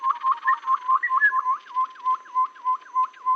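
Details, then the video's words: Babbler lure call for bird trapping: clean repeated whistled notes, each a short hooked upslur, delivered at a steady pace of about three per second with little else heard. "suara pikat burung Tepus"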